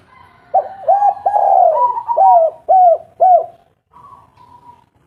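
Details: Local spotted dove used as a lure to make reluctant birds start calling: a series of mellow, hollow coos, each with a brief upward lilt, given in quick succession, followed by a softer, steady hum-like coo.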